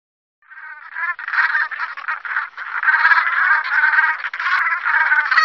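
Brant geese give a steady chorus of low, throaty, rolling calls, many birds overlapping in a continuous murmuring gabble.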